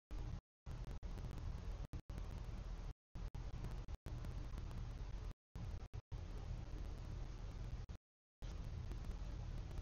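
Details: Hissing low noise cut by repeated dropouts into silence, with no animal sounds.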